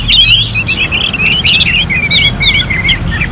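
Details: Orange-headed thrush singing a competition-style song. A short burst of quick, varied warbles and bright slurred whistles runs over a low background hum.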